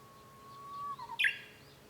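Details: Japanese bush warbler singing on 5 May 2013, heard from a home room: a sustained level whistle, then a quick, loud cluster of higher notes, ending abruptly.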